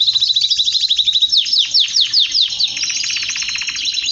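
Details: Male canary in full excited song, bright rapid trills and repeated falling whistled notes strung together, followed by a fast buzzy rattle of evenly spaced notes, all high and continuous.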